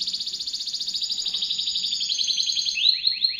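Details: A canary, kept as a tutor bird for white-rumped shamas, sings a fast, high rolling trill of evenly repeated notes, ending in a few quick downward-sweeping phrases; a faint low hum runs underneath.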